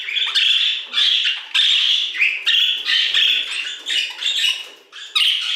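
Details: Budgerigar song in an aviary, continuous bright warbling chatter from many birds, rapid raspy notes swelling and dipping every half second with barely a pause throughout.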